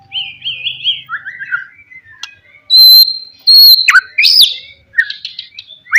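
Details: White-rumped shama lure song to provoke rival birds: soft warbled phrases, then loud piercing sustained high whistles and sharp slurred notes with short pauses between.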